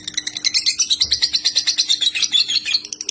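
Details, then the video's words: White-rumped shama competition song from a master recording for birds to learn: an unbroken burst of fast, loud, ringing high notes, evenly pulsed about three per second, with a slight low thump near one second. "Masteran murai batu ful tembakan kicau prestasi jernih mudah di tiru"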